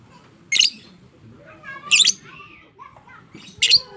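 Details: Caged fighter lovebird's ngekek chattering, played to stir silent lovebirds into calling: three loud, rasping squawks spaced roughly 1.5 seconds apart, with softer tonal chirps and quiet background noise in the gaps.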